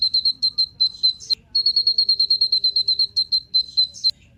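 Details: Sunbird of the type called kolibri ninja, used as a lure to make other birds sing: a fast series of clear, high, even whistled notes on one pitch, broken by brief sharp chips and short pauses.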